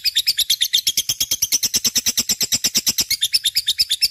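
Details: Lively 'gacor' lovebird song meant to prompt other birds: a fast, steady stream of shrill, scratchy chirps, about three per second, continuing without pause.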